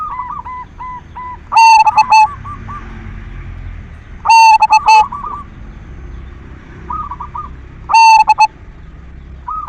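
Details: Zebra dove of the silver variety, a keen singer, used as a lure sound to encourage other doves to sing: three loud, clipped multi-note coo phrases spaced about three seconds apart, answered by softer rippling coos.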